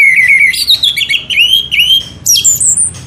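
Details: Orange-headed thrush song used as a lure to make birds sing: loud clear whistled phrases sliding and wavering between mid and high pitch, broken by short gaps, with a high rising flourish near the end over a faint low hum.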